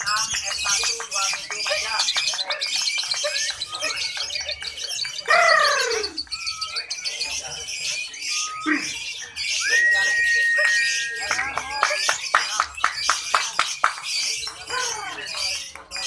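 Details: Lovebirds at a chirping competition in Antirogo, Sumbersari, Jember, East Java, Indonesia, chirp in rapid, shrill bursts, with sweeping squeaks and a held whistle among the voices.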